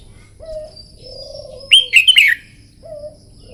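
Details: Red-whiskered bulbul in morning contest-singing training: a loud, liquid burst of quick slurred whistled notes lasting about half a second, with low soft dove-like coos before and after it.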